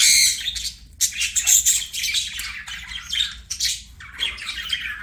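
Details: Pet budgerigar chirping: dense, scratchy high chatter in rapid bursts, with a brief pause near the first second before the twittering resumes.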